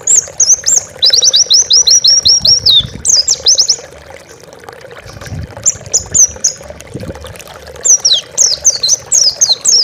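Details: Oriental white-eye master song meant for training pet birds: long run of rapid, evenly spaced high descending chirps, varied twittering phrases, a quiet gap, then short bursts of zigzag notes.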